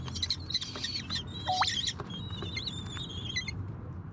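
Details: Common kestrel chicks in an old magpie nest in an air-conditioner unit space on a 14th-floor apartment in a Korean city give thin, high, squealing, overlapping and wavering calls as food arrives, over low rumble and a faint voice.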